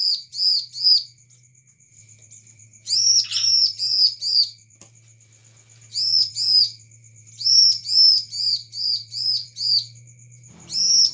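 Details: A bar-winged prinia recorded as a lure call sings bright, high, slurred notes in quick bursts of four to six, with short pauses between; a thin steady whistle and a low hum run underneath.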